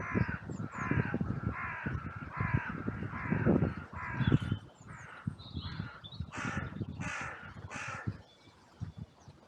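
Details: Many crows cawing in a cemetery on a sunny day, an outcry after two crows fought briefly and others rushed in from all directions; harsh, rasping caws repeated rapidly, overlapping, then a few higher, drawn-out caws toward the end.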